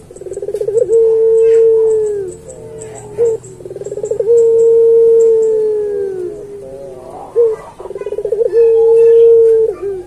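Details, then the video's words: A Barbary dove, kept as a master-song bird, gives three coos, each a quick stuttering burst then a long, low, steady note sagging at the end, over a faint high hiss. "Suara Burung Puter Pelung"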